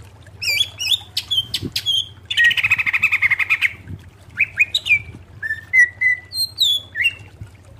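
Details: Greater green leafbird song used to tutor caged birds: sharp whistled notes, a dense buzzy rattle of about a second and a half, then clear slurred whistles, with a low hum.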